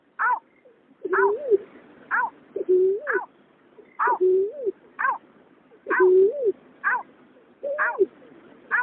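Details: Male and female white-breasted waterhens, in a night trapping context, give a fast run of nasal croaks. Low curved notes alternate with higher downslurred ones over a faint steady hiss.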